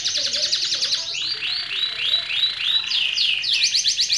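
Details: Canary song: rapid high trills give way to a series of rising, arched whistled notes repeated several times a second, then return to a dense buzzy trill.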